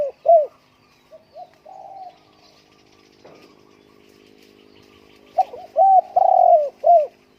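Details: Spotted dove staying home on a windy day: a short mellow coo, quieter notes and a held coo, then after a gap a loud run of hollow coos with a long sustained middle note and a clipped ending.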